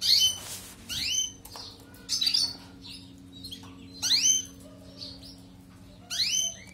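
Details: European goldfinch song for training canaries: loud bursts of bright, rising swept notes with buzzy twitters, arriving roughly every two seconds and separated by quiet gaps over a faint low hum.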